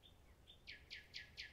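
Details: Common nightingale song: two thin whistled notes, then four loud rasping notes repeated about every quarter second.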